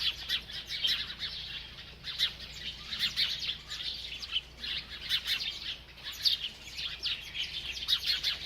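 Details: A feeding bird chirps almost without pause, a continuous chatter of high, quick twittering notes rising and falling in loudness.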